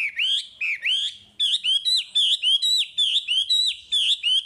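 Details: Chinese hwamei singing in lively form, used as a lure to train untamed hwamei: loud whistled notes swooping up and down, delivered in a quick run of short repeated phrases about three to four per second.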